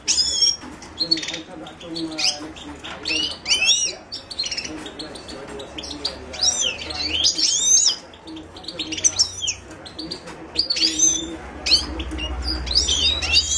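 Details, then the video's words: Himalayan goldfinch (Carduelis caniceps) singing: bursts of bright twittering notes with sweeping whistled upslurs and downslurs, high and fast, separated by short pauses, over a low steady hum. "تغريد حسون الهيمالايا chant de chardonneret hymalaya"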